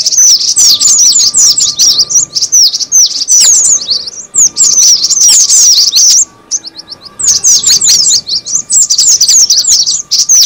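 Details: Lure call of the cinereous tit: fast, overlapping high twittering chirps in dense runs, with a short pause before the chatter picks up again just as intensely.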